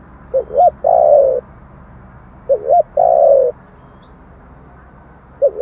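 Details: Spotted dove cooing in the 'giọng thổ' style, used as a lure to stir other doves into answering: two short quick notes followed by a longer, smooth, slightly falling coo, the phrase given twice with a pause between.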